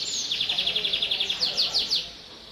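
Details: Constantly singing canary, used to get young canaries singing, opens with a quick high slur, then a rapid rhythmic trill that slows into a few louder falling notes before fading.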